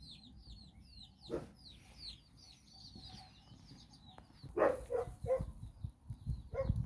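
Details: Mother hen leading her nine chicks around Bizkaia, Basque Country, as they play and learn. High descending chick peeps give way to a run of quick, low, repeated clucks from the hen, with outdoor rumble.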